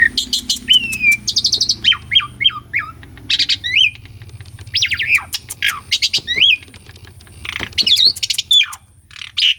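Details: Energetic song of an Asian pied starling, played to provoke caged birds that have stopped singing: looping whistled slurs dipping and rising, interspersed with dry rattling clicks and short buzzy bursts, with pauses between phrases.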